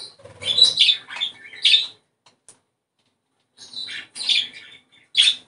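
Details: Chattering budgerigar song for stimulating breeding, a quick cluster of grating chirps and squawks, a pause of over a second, then another burst of rasping chirps.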